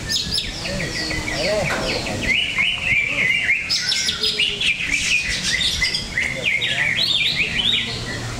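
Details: Greater green leafbird in a songbird contest, Cikeas: a dense, energetic stream of high chirps and whistled stabs, with bursts of richer notes mid-phrase and faint crowd noise behind.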